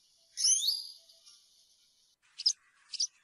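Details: European serin, campero song style: one high, squeaky, twisting phrase fades out, and after a quiet gap two short sharp chirps follow.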